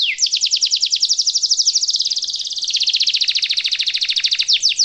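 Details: Canary in full song, a long rolling phrase used as a master song for young canaries to learn: a rapid, even trill of high buzzy notes held for nearly five seconds, dipping slightly midway and then rising again, with no other sounds.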